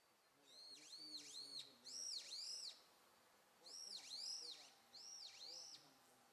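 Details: Japanese pygmy woodpecker nestlings calling in bursts of high, thin, arching buzzy notes, several rapid overlapping notes per burst with short pauses between, over a soft background hiss.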